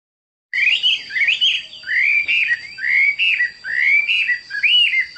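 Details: Chinese hwamei singing: loud, varied whistled phrases rising and falling, repeated roughly once a second with short pauses, over a faint steady high tone.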